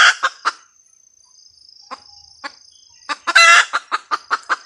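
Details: Female red junglefowl cackling: a few sharp clucks, scattered single notes, a sudden loud grating squawk, then renewed rapid clucking, with a faint high insect hum throughout.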